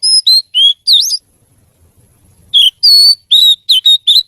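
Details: Oriental magpie-robin giving loud, clear whistled notes, some sliding up or down, in two bursts separated by a silent gap of over a second, with a quick string of short whistles at the end.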